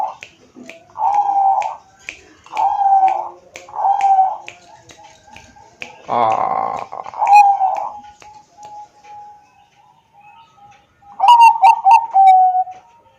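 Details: Bangkok-type zebra dove recorded on an Android phone in Wiradesa, Pekalongan, Central Java, singing to prompt other doves: mellow rolling coos repeated about every second and a half, with sharp clicking taps and a short burst of noise mid-way.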